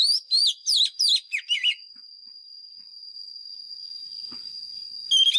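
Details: Decoy Oriental magpie-robin giving its fighting song for voice training of caged birds. A quick run of sweet looping whistles opens, then a long constant high tone continues alone until a last note at the end.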